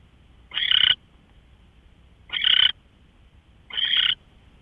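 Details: Owl, March 24, 2013 at 5:27 AM: three loud, raspy, hissing screeches, each under half a second, separated by gaps of well over a second, in otherwise quiet surroundings.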